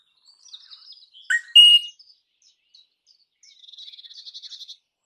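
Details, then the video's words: Crimson rosella: a brief harsh screech, then a fast, buzzy, evenly pulsed high trill, with soft chips at the start. "Crimson Rosella Call. Crimson Rosella Sounds. Crimson Rosella Song. Crimson Rosella Noise."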